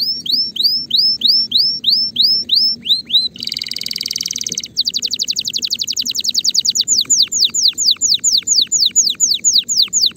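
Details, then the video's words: Spanish Timbrado canary singing, ready for mating; fast series of repeated falling whistled notes, a dense buzzy trill, then long rapid rolls of sweeping notes, with a low steady hum beneath. "غناء طائر الكناري تمبرادو جاهز لتزاوج صوت الكناري"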